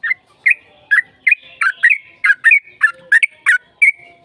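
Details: Sooty-headed bulbul in lively fighting-style song with long rapid phrases, played as a lure to make other bulbuls sing and answer: eleven short, bright, slurred chirps about every 0.4 seconds, some ending in brief whistled tails.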